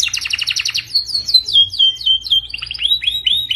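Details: Canary song from a training recording for canaries: a fast buzzy trill opens, then a run of sliding whistled notes, then repeated falling slurs about four per second.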